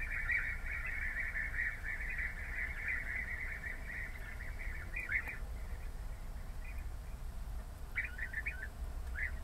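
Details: European bee-eaters give rolling, liquid trilled calls that run almost continuously for five seconds, then come back as short separate bursts, over a steady low rumble.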